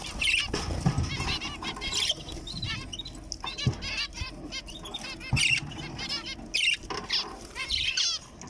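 Young zebra finch giving short, high, nasal calls in scattered bursts, with soft fluttering wingbeats.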